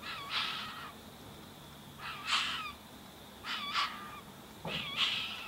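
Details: Young tawny frogmouth chick being fed by a single parent in a back yard in Greensborough, Melbourne, January 2017: four harsh, broad squawking calls about every 1.5 seconds, each with a rising tonal band.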